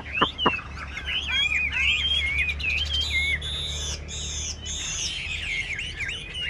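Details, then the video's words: A tame Chinese hwamei on a contest rack gives twisting whistled phrases amid clicking and steady low hum, with a louder burst of bright notes midway. "Họa mi hót đấu giàn"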